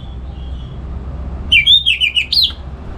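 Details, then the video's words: Captive orange-headed thrush in Singaraja, north Bali, singing in the morning in open ngeplong style as tutor song for other birds; after a faint note and a pause, a one-second string of sharp warbled notes. "Pagi Hari Hari ANIS MERAH Ngeplong Gacor Untuk Pancingan & Masteran Burung Dirumah"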